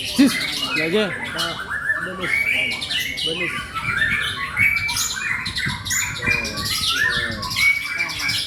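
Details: White-rumped shama in Indonesia pouring out continuous varied song with whistles, trills, chattering notes and bright upslurred phrases; human voices are heard faintly underneath, especially at the start.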